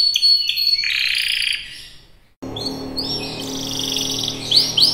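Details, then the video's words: Canary singing: high twittering and a buzzy, rolling trill, then after a sudden break more high rolled notes and quick upswept chirps over a noisy background. "Kicauan Burung Kenari"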